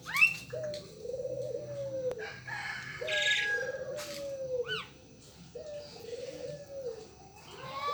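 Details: Local turtle dove (burung puter) repeating three low, rounded, arching coos about every two and a half seconds, while other small birds add sharp chirps and rising squeaks.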